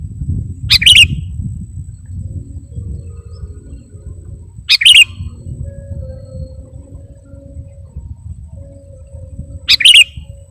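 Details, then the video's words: Sooty-headed bulbul on a recording for luring birds, giving three short, bright chirping phrases spaced about four to five seconds apart over a steady low rumbling hum. "KUTILANG PIKAT || BURUNG LEGEND FULL ISIAN DAN GACOR"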